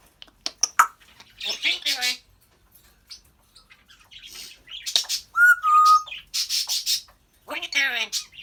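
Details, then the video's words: African grey parrot chattering indoors in quick squeaky bursts and speech-like babble, with a short two-step whistle in the middle and a person speaking nearby. "African grey talking, laughing and burping"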